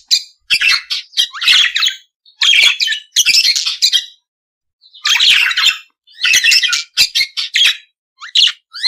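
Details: Budgerigar from Australia giving grouped bursts of scratchy chirps and squawky warbles, separated by pauses of about a second.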